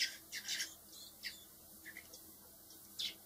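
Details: Four young blackbirds raised by hand before release, with a loud burst of harsh chirping at the start, then softer scattered squeaks and a final sharp chirp.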